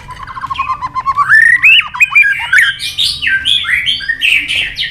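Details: Singing in competition, a White-rumped shama, tail flicking and hopping on its perch, starts with low repeated notes, then climbs into bright rising whistles and fast varied high phrases.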